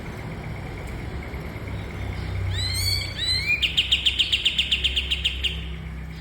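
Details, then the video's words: Cream-vented bulbul, or kapas tembak, in a cage-bird training song: several sweeping upslurred whistles, then a rapid, even series of sharp high chips lasting about two seconds. "Burung Masteran Kapas Tembak"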